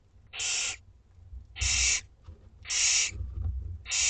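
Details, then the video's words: Begging Barn Owlets, two weeks old, at dinner time: loud rasping hiss bursts near half a second each, coming about every 1.2 seconds, with soft low thumps between them. "Dinner time for 2 week-old Barn Owlets!"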